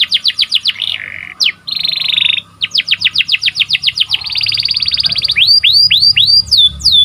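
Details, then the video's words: Canary song in cuit cuit ngerol tajam style for training breeding birds: rows of quick repeated downswept notes, buzzy held trills, a long even rolling phrase, then rising curved whistles at the end. "KICAU BURUNG KENARI || KENARI CUIT CUIT NGEROL TAJAM"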